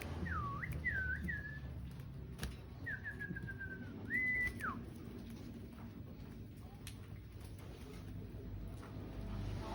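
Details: Male and female sooty-headed bulbuls singing: short looping whistled notes, then a slurred descending phrase and a sharp rising-falling whistle, over a steady low background hum with occasional clicks.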